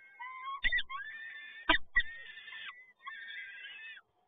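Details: Peregrine falcon male bringing another prey delivery at PGE Toruń, Poland, 7 May 2022: overlapping drawn wailing and whining calls, interrupted by sharp knocks and scraping from movement at the nest.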